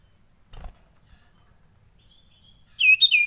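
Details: After a long quiet stretch with a soft tap and a thin faint note, a frightened common iora gives two loud sharp downslurred notes in quick succession.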